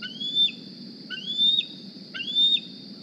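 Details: Juvenile bald eagle, hatched April 2020 at the Decorah nest and carrying a GPS transmitter, arriving at the nest one morning begging for food: three thin, piercing squee whistles, each rising then dropping, about one per second, above a constant high tone.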